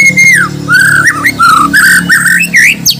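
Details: White-rumped shama of Borneo stock from Banjar, kept for song contests, delivering a rich, unbroken run of varied whistled phrases that swoop up and down, with a steady low hum beneath.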